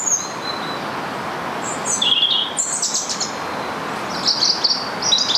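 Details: Rose-ringed parakeet in a local park, Stanley Park, Blackpool, where it had been seen on and off for two to three months; brief high shrill squawks come in scattered bursts over a steady hiss of background noise.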